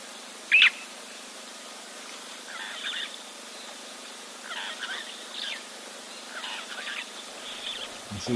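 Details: Red-billed buffalo weavers nesting in the tree just above a camera at an African waterhole give repeated harsh, chattering bursts roughly every one to two seconds; long-tailed starlings may call in between, and a narrator speaks quietly.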